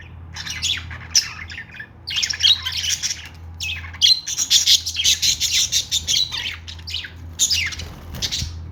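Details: Pet budgerigars keep up dense, busy chatter: grating squawks run into rapid chirping warbles for several seconds, with a steady low hum under them.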